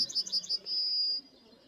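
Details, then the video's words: Male Yellowhammer singing from a pine in forest around Novaraistis, a very common winter bird: a quick series of high thin notes followed by one long sustained high whistle. "Taip, dabar čia gieda geltonoji starta, va šitoj kažkur pušy, šios nematau."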